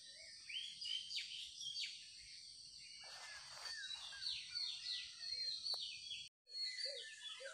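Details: Several birds chirping in the morning, giving quick sharp downslurred notes in loose clusters over a constant high-pitched hiss, with a brief silent gap near the end.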